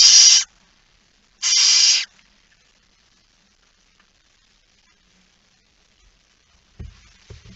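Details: Barn owl at night on 17 September 2019 around 23:55, a male arriving with a mouse: two harsh, broadband hissing screeches, each about half a second long and a second apart, then silence and faint low thumps at the end.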